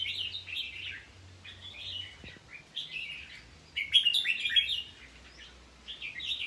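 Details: A caged red-whiskered bulbul from Thailand repeats clear, chirpy whistled phrases, each about half a second long, separated by short gaps, with one louder, busier burst near the middle.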